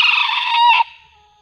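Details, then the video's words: Wild junglefowl drawn in by a decoy and turning aggressive; the closing part of a crow, coarse and steady, breaking into a short final burst before stopping, leaving a thin lingering tone and quiet. "mikat ayam hutan terbaru//pikat sudah tak sanggup lagi,AYAM hutan nya semakin ganas..!!"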